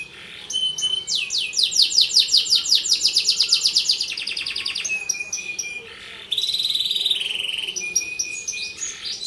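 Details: Canary delivering a varied training song for other canaries or young birds: cascading swept rolls, a rattling trill, then several level whistled tones.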